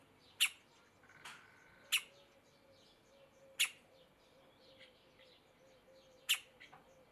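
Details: A juvenile middle spotted woodpecker looking out of a tree hole gives four sharp, high 'kik' notes at irregular intervals of one to three seconds, over a soft wavering note and a faint steady hum.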